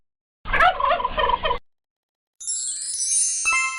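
A turkey gives one rapid, rattling gobble lasting about a second. A bright synthetic chime or swoosh follows after a short silence.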